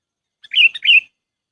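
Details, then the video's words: Trapping lure of a sooty-headed bulbul: a single cheerful phrase of two rich, warbled notes joined by a short middle note, with nothing else audible. "SUARA PIKAT BURUNG KUTILANG AMPUH"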